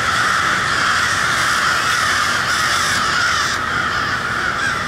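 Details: Noisy crows calling together at cold twilight in Westport, Kansas City: a loud, continuous wall of rasping caws from many birds, with slight surges in intensity partway through.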